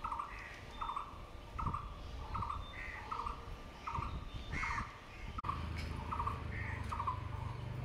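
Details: A barbet, thought to sound like a brown-headed barbet though its head looks blue, repeats a low, hollow, two-part note steadily, roughly every half second, over a constant rumble of background noise.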